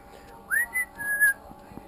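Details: A 10-week-old female pet monk parakeet (Myiopsitta monachus) gives clear, pure whistles: a quick rising sweep, then a steady held note.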